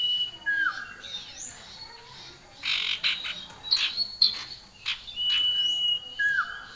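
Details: A pair of common ioras, male and female, singing busily with loud, shrill voices: long level whistles, down-slurred whistled notes, and clusters of harsh, scratchy chatter, repeating in a lively pattern over several seconds.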